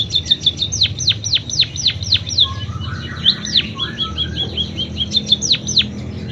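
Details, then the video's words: Munia delivering canary-imitation song, opening with a rapid series of steep downward-swooping whistles, about four per second, then twittering trills and more falling notes over a low background hum. "Burung PIPIT Full isian KENARI"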